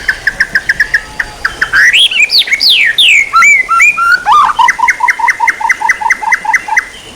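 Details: Songbird training recording of white-rumped shama: a varied song that opens with a rapid series of short notes, moves into sweeping whistled slurs and fluting phrases, then ends with fast repeated chips.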